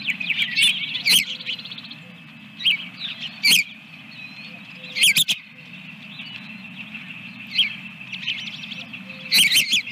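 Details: Nesting osprey beside its second egg, Dunrovin Ranch, morning of 24 April 2022: spaced clusters of high, thin, piping whistles with occasional short trills between quieter gaps, steady low drone underneath.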